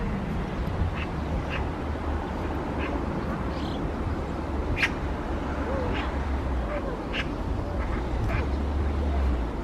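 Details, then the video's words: A magpie in April spring woodland beside the barrier-free forest trail of Galsan Park, clinging to a tree trunk, gives harsh, scratchy chacks singly about a second apart over a steady low background rumble. "사월의 봄 까치 소리를 들었다."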